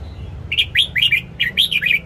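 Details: Morning song of a caged red-whiskered bulbul, used for training birds to sing: after a short pause, one rapid phrase of about seven liquid, up-and-down warbled notes over a low background hum.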